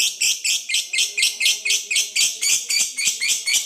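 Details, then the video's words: Lovebird 'ngekek' chatter intended to provoke rival birds: rough, high, rasping notes delivered in a tight regular series near four per second, clear and dominant. "PANCINGAN LOVEBIRD NGEKEK PANJANG, PALING JITU PANCING EMOSI LAWAN, LABET MALAS BUNYI LANGSUNG NYAUT"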